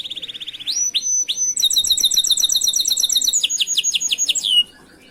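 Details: Canary singing a master song meant for training other canaries: a low soft trill, several rising whistled notes, then long rapid rattling tours of repeated high syllables that change pattern partway.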